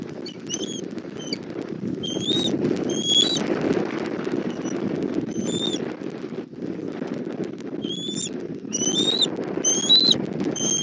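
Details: Bald eagle nest in Southwest Florida, 1 April 2024, mother bringing food to the chick: bursts of high, squeaky chittering notes separated by pauses, over constant loud rushing noise.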